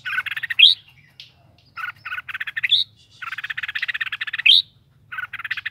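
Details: Red-whiskered bulbul in a cage repeats phrases of quick buzzy pulses, each capped by a loud upward-sweeping whistle, with gaps of about a second between phrases; quiet low hum behind.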